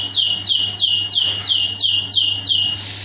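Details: Canary song used as a masteran training lure, full tembakan style: a steady series of eight loud downward-sweeping whistled notes, about three per second, ending in a buzzy burst over a constant low electrical hum.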